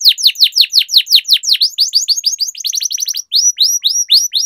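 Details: Singing canary on a training recording meant to prompt silent birds and tutor young ones: fast runs of downward-sweeping whistled notes speed into tighter rolls, then slow to upward-curving slurs.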